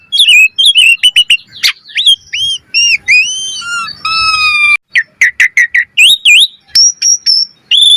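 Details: Vigorous, highly varied Asian pied starling song used as a training lure: rapidly repeated clear whistles, warbling slurs, steady held tones and abrupt sharp clicks, delivered almost without pause.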